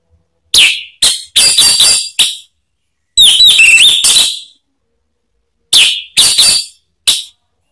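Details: Male orange-headed thrush, a kept songbird, singing loud, rich whistled phrases with slurred, buzzy notes, delivered in short bursts separated by pauses; nothing else is heard.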